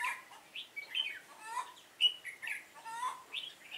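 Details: Red-whiskered bulbul decoy in a trap, Vietnam, 7 September 2018, giving its fighting song: a continuous run of bright, bubbly whistled notes, rising and falling quickly.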